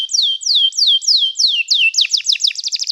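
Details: Canary song for training: six clear, loud whistles that each rise then slide steeply down, evenly spaced about every third of a second, followed by a quicker series of sharp, chirping notes accelerating into a trill.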